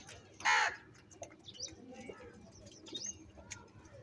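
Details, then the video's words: Crow fighting over food: one loud, harsh, hoarse caw near the start, then faint high chirps and squeaks from smaller birds in the background. "Different kauwa ki awaz - Crow bird live Crowing sounds | Crow bird Fight for Foods"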